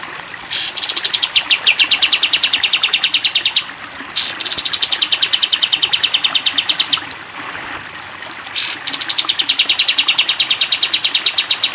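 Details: Training recording for caged sooty-headed bulbul, 'tembak panjang' style: three long trills, each opening with a quick rising sweep and running into a rapid, steady series of high chipping notes for about three seconds, separated by short pauses.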